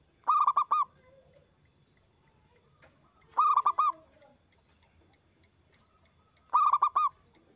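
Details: Local zebra dove singing loudly, used as a lure to stimulate other doves to sing: three phrases roughly three seconds apart, each a quick run of four short, clipped cooing notes at one steady pitch, over quiet background hiss.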